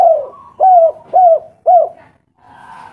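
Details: Spotted dove of a local strain, recorded as a training lure to make listening doves reply, gives deep, soft cooing notes, three even arched coos about half a second apart, ending in a fainter muffled sound.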